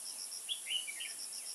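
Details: Trapping session in Kim Bôi, Hòa Bình, 21 May 2018, with a decoy red-whiskered bulbul: a brief burst of bright, slurred whistles, rising then falling, over a constant high insect pulsing.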